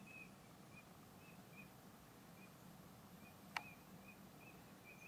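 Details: Eurasian teal at Izliv Soče nature reserve, Slovenia, on 15 February 2024, giving faint, short, high whistled notes repeated irregularly every half second or so, over a low steady rumble with one sharp click.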